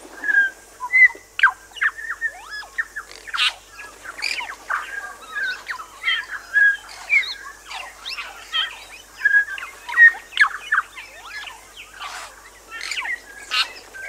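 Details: Bellbird singing on Little Barrier Island, New Zealand, a busy, continuous stream of ringing whistles, liquid slurred notes and sharp clicks, phrases tumbling rapidly with brief gaps, several voices possibly overlapping against a quiet hiss.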